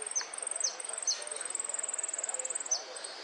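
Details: Saffron finch song in the golpes, pitadas and prio style: a very high, rapid string of repeated ticking notes broken by sharp downslurred whistles, over a steady hiss.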